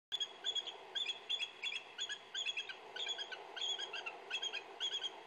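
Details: Decorah bald eagles (Haliaeetus leucocephalus) giving mating calls: thin, high, chittering notes in quick repeated bursts, several a second, over a steady low rushing background. Bald eagle chattering call.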